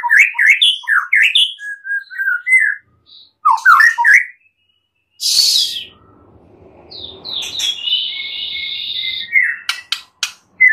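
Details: White-rumped shama in a master recording with fill-ins: quick zigzag whistled notes, silent gaps, a harsh rasping burst, then a long buzzy high phrase and scattered clicks.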